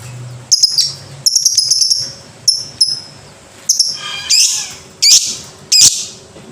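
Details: Lovebird, ngekek-style song recording. Piercing short whistled chirps arrive in small groups, then three harsher, louder bursts follow near the end. A low hum is heard in the background.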